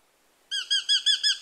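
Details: Eurasian hobby calling, taken from a nature sound album: a rapid series of clear, ringing, slightly downslurred kew notes, about six per second, beginning after a half-second of silence.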